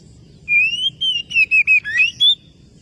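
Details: Oriental magpie-robin calling a rival with a run of seven clear whistled notes, a rising slur, level notes and a dip, then a final high steady whistle, delivered fast over a soft low hum.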